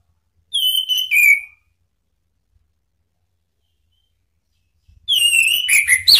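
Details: Indonesian Orange-headed thrush calling to provoke rivals, a lure sound meant to make birds sing openly (ngeplong): a clear whistled phrase with downslurred notes, a four-second silence, then a longer, more tangled run of whistles.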